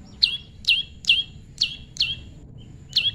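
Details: Pairing prinia, tame, repeating piercing descending chirps roughly every half second, six notes in about three seconds, background otherwise quiet.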